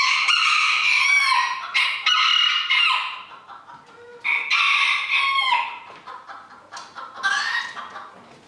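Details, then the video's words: Roosters competing in a 2022 crowing contest run by a small-livestock breeders' club in Villers-la-Ville. Harsh, ragged crows come in irregular bursts, some overlapping, with fainter crows and clucking-like notes in between. "Chants du coq 2022"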